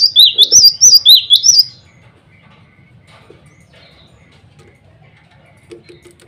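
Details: A male cinereous tit, singing to call rivals and a female, delivers one quick bout of five or six loud, high, slurred two-tone whistles. Faint soft background sounds follow.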